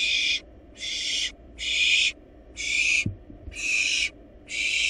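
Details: Wild barn owl nestlings in a research nest box, eating a large rabbit, produce rasping broadband hisses of about half a second, repeated steadily, with a couple of soft knocks midway.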